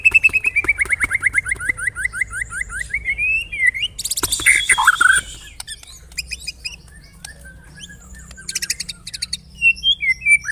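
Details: White-rumped shama lure song for prompting shamas to sing: a long, rapid, slightly rising series of pulsed whistles, then a loud harsh rasping burst, quieter twittering and scattered high chips.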